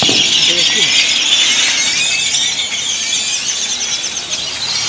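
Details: Great-tailed grackle flock settling down to roost in Granada, Nicaragua, filling the air with a relentless mass of piercing squeaky calls and upslurred whistles, loudest early and easing slightly toward the end.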